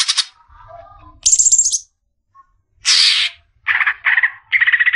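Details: Greater green leafbird, a champion-contender bird, in a tutor recording: scattered short phrases, a high buzzy trill, a harsh broadband burst, then lower, rapidly pulsed notes repeated in quick succession.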